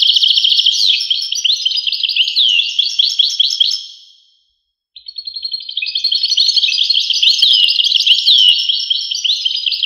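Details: European goldfinch singing a continuous, high, tinkling twitter of fast trills and slurred notes. It breaks off for about a second midway, then resumes just as busily.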